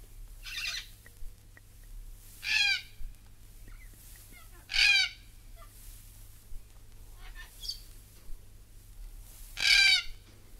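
Sulphur-crested Cockatoo giving five harsh, grating screeches, each about half a second long, spaced roughly two seconds apart over a low rumble.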